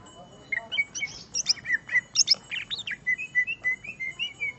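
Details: Greater green leafbird singing after finally finding a fighting opponent: loud, clear phrases of high squeaky notes and sweeping slurs, then a steady series of short bright whistled chirps at about four per second.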